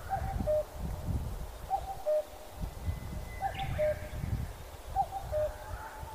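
A cuckoo gives its clear two-note falling 'cuck-oo' four times, about every one and a half seconds, over a steady low rumble of wind.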